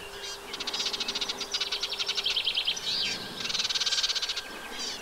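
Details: Eurasian reed warbler singing on 15 June 2023 at a nesting site in a wet meadow beside the Vilaine, freshwater side of the Arzal dam, Brittany: fast chattering runs of repeated scratchy notes in steady pulses, with a short whistled break and a faint low hum.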